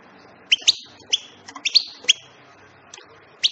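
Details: European goldfinch twittering in a lively run of crisp, rising chirps, some doubled, spaced a fraction of a second apart and tailing off into a last isolated note. A soft background hum is audible.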